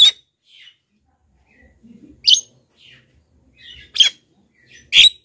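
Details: Used as a lure for wild black-winged mynas, a series of loud, harsh screeches interspersed with softer buzzy chatter notes, spaced about one second apart in a quiet setting.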